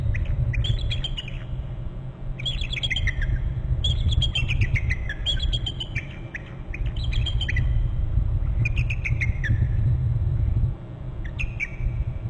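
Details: Pair of bald eagles at their Hornby Island nest territory, the male moving to a branch below a bare branch, both calling and the male giving feak calls: bursts of high, thin, falling chattering notes over a steady low rumble.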